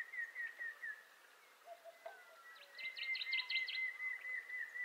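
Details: Montezuma quail calling in western North America: a sustained, steady whistled tone runs through most of the recording, while a rapid burst of high, thin chirps from another bird overlaps midway.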